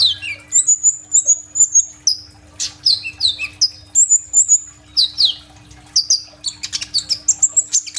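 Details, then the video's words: Kolibri ninja sunbird in lively, varied song, used as a lure for young birds, recorded on an Oppo A37f: long thin high whistles broken by downslurred notes and fast chirping bursts. "BURUNG KOLIBRI NINJA GACOR FULL TEMBAKAN ISIAN ROLL TEMBAK"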